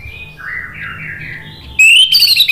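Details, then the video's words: Orange-headed thrush: soft, distant-sounding wavering whistles, then a sudden loud bright rising whistled phrase; used to prompt a silent bird. "SUARA ANIS MERAH GACOR"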